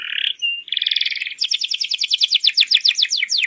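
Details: Canary song used to teach juvenile birds: a short whistled phrase and a brief buzzy trill, then a long series of rapid sharp downslurred notes repeated at an even pace.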